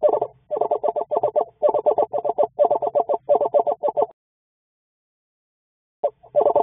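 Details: A pair of Eastern screech-owls in the evening, during a day of nesting behaviour, chattering in quick bursts of four to six hoarse, mid-pitched pulses, run together for four seconds, then a brief pause before starting again.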